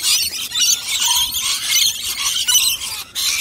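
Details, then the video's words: Wild rainbow lorikeets gathered as a flock around a nectar dish, feeding; dense, piercing screeching and squealing from many birds at once, almost unbroken, one short break near the end. "Wild Rainbow 🌈 Lorikeet LUNCH-A-THON!! 🦜🦜🦜🦜🦜🍛🍕🌭🥪😋😄(Headphone 🎧 warning ⚠️😖 🙉 📢)"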